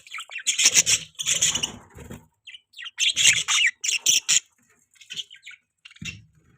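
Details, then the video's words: Budgerigars chirping: bursts of scratchy, buzzy warbling chatter with quick squeaky notes, broken by short pauses. "Beautiful Budgie Chirping Sound"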